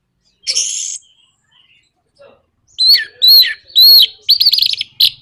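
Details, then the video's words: Orange-headed thrush song meant to goad other birds into singing: a harsh buzzy burst, then loud looping whistled notes repeated about every half second, ending in quick trills. "PANCINGAN NRAKTAK KONSLET ANIS MERAH BIKIN GACOR ATASI SUSAH BUNYI"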